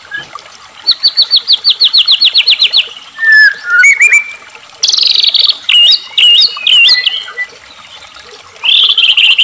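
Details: Loud white-rumped shama performance meant to excite captive shamas into singing: an even run of ringing repeated notes, buzzy rasping bursts, zigzag whistles and a final harsh trill.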